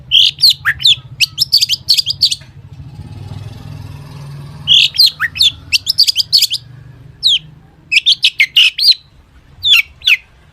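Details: A long-tailed shrike pours out mimicry-rich song to lure other shrikes into singing: quick bursts of high sharp chirps and tweets separated by short gaps, over a steady low rumbling hum.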